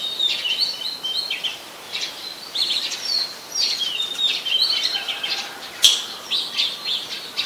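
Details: Very common resident Oriental magpie-robin recorded in Ubon Ratchathani, Thailand, on 24 December 2020; a rambling series of whistled and chirped notes with short pauses and one sharp click.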